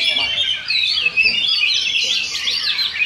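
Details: Short burst of rapid, overlapping song from Oriental magpie-robins in a singing duel at a Sindanglaut practice contest: high whistled slurs and scratchy trills with one brief pause, and background voices.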